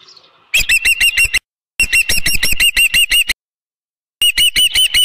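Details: Piercing, high whistled chirps from an osprey at the nest on 15 July 2018, 7:55 PM, while a headless fish is delivered. The calls come in three fast runs separated by short silences.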